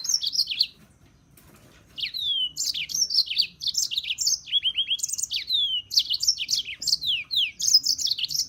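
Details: European serin: one short high squeaky phrase, a second of quiet, then a long rapid, twittering stream of thin notes with a few smooth falling slurs.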